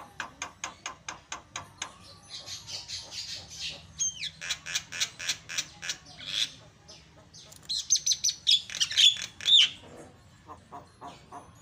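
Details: Black-winged starling, a lively singer, giving rapid repeated sharp clicks and chatters, harsh buzzy bursts and a few high whistled notes, loud and restless throughout.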